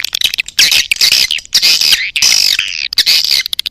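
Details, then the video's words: Edible-nest swiftlet 'birahi' mating call for drawing swiftlets into a nest house: harsh, raspy high squawks in four bursts of about half a second each, separated by short clicks. "Suara Panggil Walet B1RAHI"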